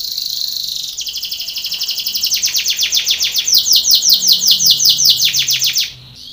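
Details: Training song of a Belgian canary for contest: after a short high buzz, a long series of loud rapid downward-sweeping chip notes, about four per second, bright and metallic.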